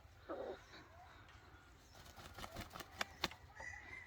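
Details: Red junglefowl decoy bird used to lure wild junglefowl, 2023-2024: a short, low, harsh cluck near the start, then a run of sharp clicks or wing flaps, over a steady low hum.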